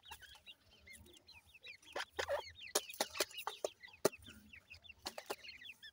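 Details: A group of grey francolin chicks in Punjab, Pakistan, peeping continuously with short, hooked, high notes, while clicks and knocks sound throughout.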